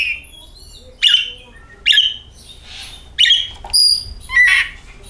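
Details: Oriental magpie-robin song meant to make the bird sing: sharp, downslurred whistled notes repeated about once a second, followed by a steady whistle and a buzzy closing note.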